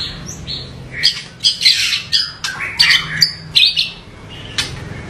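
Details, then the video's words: White-rumped shama delivering harsh 'variasi kasar' song phrases in a 'tembakan' performance meant to agitate other shamas: scratchy, buzzy bursts roughly every half second, broken by short whistles, over a low steady hum. "MURAI BATU Full Tembakan Variasi Kasar Mewah bikin murai batu lain emosi"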